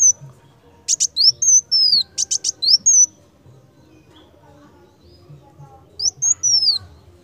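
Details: Purple-throated sunbird singing lively for tutoring: sharp buzzy bursts are mixed with high, sliding whistled notes in a fast string. Two seconds of quiet follow, then a shorter burst of whistles. Faint low rumble behind.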